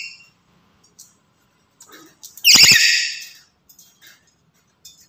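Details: A black-headed lory gives one loud, harsh, grating screech lasting about a second, with faint whistled notes and soft clicks before and after it.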